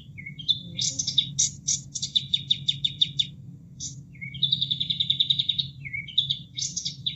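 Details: Caged-bird training material of a bulbul: clusters of sharp, high staccato notes and rattles, short pauses, then a rapid even trill, with water running steadily behind.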